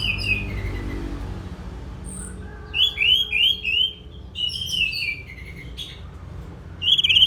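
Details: Orange-headed thrush song made of repeated bright downslurred whistles, several in a row, interspersed with varied warbled phrases and short high chirps, over soft background hum.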